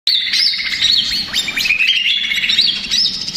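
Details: Male greater green leafbird in agitated, stressed song used as a lure to provoke other leafbirds. High whistled notes race in quick rising and falling slurs, loud and nearly continuous, with brief upward sweeps.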